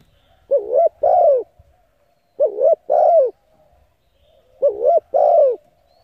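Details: Spotted dove coo phrase, used for training decoy birds: three evenly spaced phrases, each a short wavering double note and then a longer rich falling coo, about two seconds apart.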